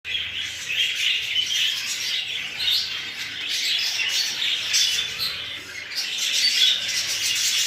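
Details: English show budgerigars, exhibition and hogoromo types, chattering as a group: dense overlapping high warbles, chirps and squawks forming a continuous busy chorus with no pauses.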